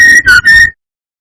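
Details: Brown-chested jungle flycatcher song used as a lure to provoke rival birds: three loud, clear whistled notes, the middle one dipping slightly, run together in under a second.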